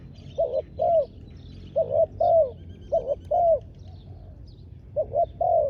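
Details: Spotted dove used as a decoy in ground trapping, repeating phrases of quick doubled coos followed by a longer downslurred coo, about once a second, with faint distant bird chirps.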